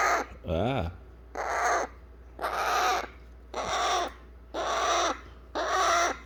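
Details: Pet eclectus parrot baby nagging to be held after eating weaning food. Seven rough, insistent squawks come in quick succession, nearly one per second, one with a wavering, warbled lower tone.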